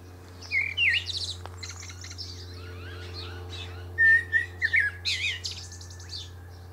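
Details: From a pear treetop a male Common Blackbird pours out rich whistled notes, a brief slurred phrase, softer chattering twitters, then a louder clear fluted phrase with high squeaks, against a low continuous hum.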